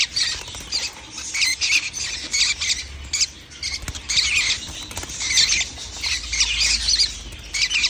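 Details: Young lovebirds calling on 11 January 2025, a near-continuous rasping, squeaky chatter of many rapid high notes in surging bursts, briefly easing around the fourth second before resuming.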